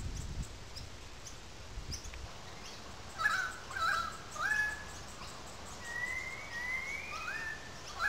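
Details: Currawongs calling in a gully at Sydney Park, St Peters, Sydney, heard at some distance: three short, falling whistled notes, then a long rising whistled glide that ends in a brief dip, with light background noise.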